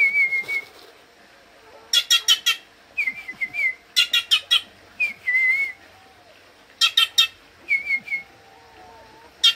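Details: Wild bird, not habituated to humans, drawn close by food; short slurred whistles alternate with fast series of four or five buzzy, rasping notes, with a faint low background hum.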